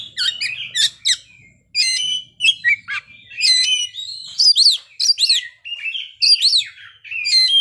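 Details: Oriental magpie-robin (kacer) singing at full play, showing off its repertoire of learned fill-in phrases: quick varied whistles, sharp rising and falling notes and buzzy trills in short bursts separated by brief pauses; faint low hum underneath.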